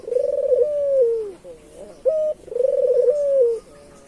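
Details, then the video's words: Local island collared dove calling vigorously, used as a lure for other doves: a short flat note followed by a rolling, pulsed coo that slides downward, given twice in quick succession. "Suara burung Puter lokal Gacor"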